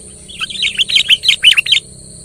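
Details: Sooty-headed bulbul singing to provoke a quiet bird into song: one tight, rapid phrase of about a dozen bright, warbled chirps lasting under two seconds, with faint low background noise.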